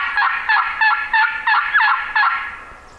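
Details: On Minnesota public hill-country land in the morning, a male Wild Turkey, a gobbler roosted the previous evening and aware of hunters, gobbles at a distance down the hill: a rapid rattling burst of about six gulping notes that fades.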